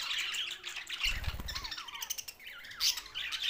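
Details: Budgerigars, Larkana, Sindh: bright squawks and chirps with several falling whistled slides in the middle, broken by a low thumping knock near one second.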